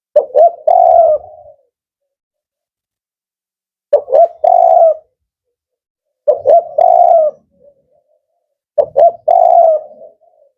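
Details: Cooing of a male spotted dove, a 'Kuk 4' bird valued for its firm, rhythmic voice: four phrases about every two and a half seconds, each two quick clipped notes then a drawn-out low coo.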